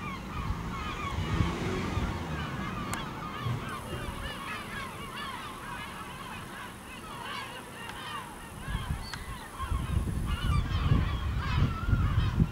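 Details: Gulls over a village in Ortegal until nightfall, giving rapid overlapping yelping and mewing calls that rise and fall. A steady high hum runs through the middle, and a low rumble swells near the end.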